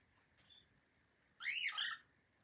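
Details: Pet cockatiel, one of a group of friendly cockatiels, relaxing and enjoying the moment in Berlin: a single loud whistled call, rising then falling with a second downward inflection, lasting about half a second against a quiet room.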